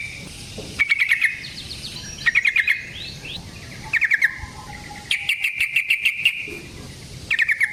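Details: Lively yellow-vented bulbul, wild fighting-style singer with long rolling phrases, played as a lure and tutor for other bulbuls: short rattling phrases of rapid clipped notes, then a longer trilled run near the end.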